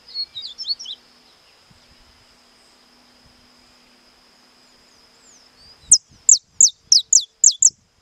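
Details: Saffron finch, estalado-style song: after a long quiet stretch with a steady high hum and a few faint chips, a run of seven crisp, downward-slurred snapping notes bursts out near the end at about three per second.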